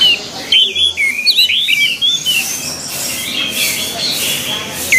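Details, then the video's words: An orange-headed thrush sings quick, varied, fairly high whistled phrases with slurred swoops and trills, over a steady background hiss. "SUARA ANIS MERAH"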